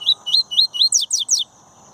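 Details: Double-collared seedeater, tui-tui song style, from a breeder: four clear upward-slurred whistles in even rhythm, then three fast descending buzzy sweeps, about one and a half seconds in all.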